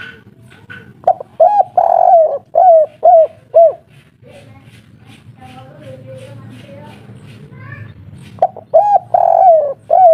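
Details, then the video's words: Agitated local spotted dove singing in the kuk 3 style: two bursts of low, mellow coos at a pace of about two per second, separated by a stretch of softer, murmuring sounds. "Derkuku kuk3 lokal gacor ngamuk bikin ribut - suara paten kuk3"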